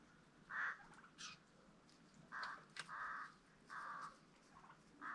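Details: Peafowl at a farm with green and Spalding birds, calling in a series of five loud, brassy honks spaced roughly a second apart, with faint chirps and rustling between them.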